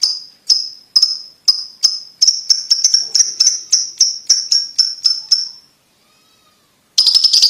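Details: Lovebird giving its ticking call, used as training sound to push young lovebirds toward fast trilling: sharp high clicks each trailing into a thin whistled tone, about four per second, speeding slightly, a brief silence, then a burst resumes.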